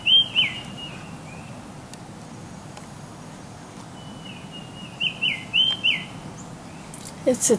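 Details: A tufted titmouse, heard from a back porch, gives clear, high whistled notes in short phrases of two or three, with a long pause between phrases, over a steady background hiss.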